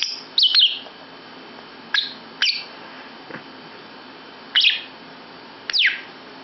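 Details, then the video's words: Lovebird chattering in a bedroom, with short shrill chirps and downward-sweeping squeaks in scattered pairs and singles across several seconds, over soft room background. "Lovebird Ikut Nimbrung di Kamar Tidur"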